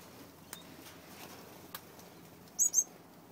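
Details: Young yellow Gouldian finches kept as pets, starting to leave the nest: two short, high, thin chirps in quick succession near the end, after a few soft taps and clicks in a quiet room.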